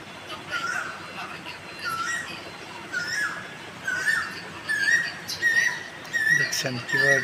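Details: In spring, the breeding season, a black Asian koel perched on a tree branch, recorded from far away, calls to attract a mate: loud, rising two-part whistles about one a second, climbing in pitch, with faint voices and outdoor sounds.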